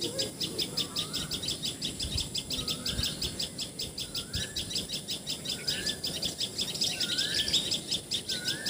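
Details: Common tailorbird in Assam, India, giving short, upslurred notes repeated about every second, set against a dense, pulsing chorus of insects.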